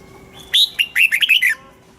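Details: Caged red-whiskered bulbul, morning training song in a wild double-note style: a brief, loud phrase of clear whistled notes sliding up and down, ending with a softer tail.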